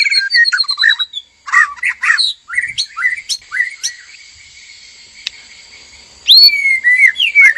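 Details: Breeding-cage white-rumped shamas, male and female, courtship arousal: clustered sharp chips and whistles, a long quiet pause, then loud looping whistled notes.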